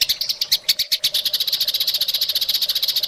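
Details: Masteran training song of the white-rumped shama for caged birds with full rich filler: steady rapid buzzy pulses, several per second, high-pitched and evenly spaced, with a faint low hum underneath.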